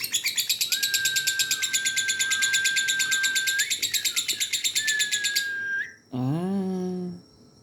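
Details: Dun fallow lovebird in ngekek chatter, rapid harsh chirps for about five seconds, then silence. A short low, drawn-out, harmonic-rich sound closes the recording.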